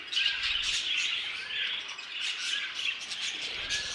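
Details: A short burst of aviary budgerigar chatter: a thick mix of high chirps, squeaks and warbled whistles from several birds calling together.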